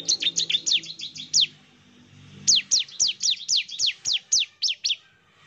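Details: Bar-winged prinia song used as a lure to provoke a rival's reply: rapid series of sharp, high, downward-sweeping chirps, about eleven in a burst, then a short pause and another burst of similar chirps.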